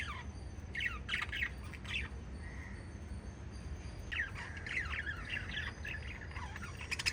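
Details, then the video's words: Five lovebirds chirping in scattered clusters of squeaky, falling notes, a soft whistled note mid-way, then a busier chattering run toward the end. "Five Little Lovebirds Chirping Sounds"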